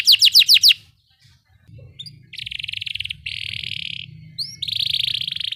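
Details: Canary singing ngeroll-style rolls, played to coax rarely singing canaries into song: a quick burst of five downslurred notes, a pause, then dense buzzy rattling rolls in long bursts over a low background hum.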